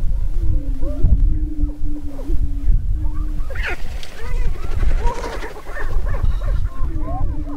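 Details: Greater prairie-chickens on their spring lek in northwest Minnesota near Crookston, 27 April 2013. A low steady boom sounds first, then gives way to scattered higher hooting whoops and chuckling calls from several males, over breezy rumble.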